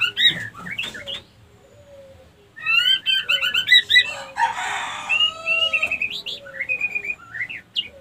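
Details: White-rumped shama female lure song, said to bring other hens into mating condition; bursts of quick whistled notes, a harsh rasping passage, then long sliding whistles and scattered sharp chirps.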